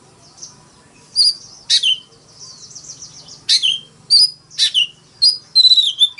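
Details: Oriental magpie-robin, a decoy bird giving fighting song in forest-voice style: scattered sharp, high whistled notes and short downslurred chips separated by pauses, ending in a quick cluster of bright notes, with a faint low hum beneath.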